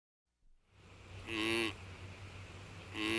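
A duck gives two harsh, nasal quacks about a second and a half apart, the second cut short, over a low steady hum.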